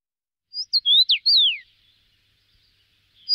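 A Common rosefinch gives one clear whistled phrase of about four quick notes, rising then ending in a long downslurred whistle, over a quiet background.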